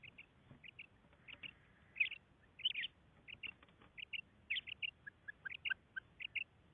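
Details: Calling female common quail gives quick doubled notes, sharp and high, in irregular bursts over a steady low rumble of background noise.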